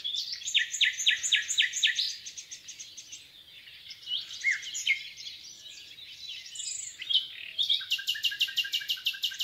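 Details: Common nightingale singing in the Rawka river valley near Dolecko, Poland: rapid repeated high notes in fast trills, then a quieter jumbled phrase and a thin high buzzy stretch, ending in another fast pulsed rattle.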